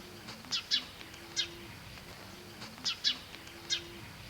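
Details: Himalayan bulbul (Pycnonotus leucogenys, yellow-vented) in Kashmir gives short, bright chirped notes in loose groups of three, repeated about every two and a half seconds over a faint low hum.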